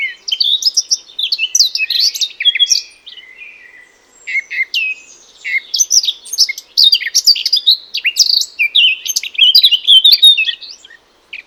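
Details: Song of the Eurasian Blackcap from hedges and wooded gardens in Europe: two long bursts of rapid, varied warbling with clear fluted whistles, separated by a quieter soft passage around four seconds.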